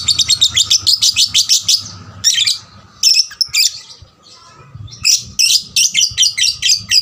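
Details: Young lovebird singing persistently to stimulate other lovebirds; rapid rattling runs of quick shrill notes, broken by a few separate chirps and a short pause, then another fast rattling series.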